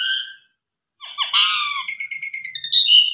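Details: Javan pied starling song used as a lure to get other Javan pied starlings singing, packed with fill-in phrases; a clear whistled note, a half-second pause, then a chattering, buzzy run ending in bright whistles.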